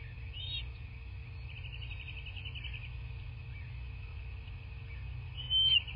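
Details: At a bald eagle nest in southwest Florida, filmed by a nest cam on 17 March 2024 around 9 a.m., a high squeal opens, then a rapid trill of piping chirps follows, and a loud sharp shriek comes near the end, over low rumble.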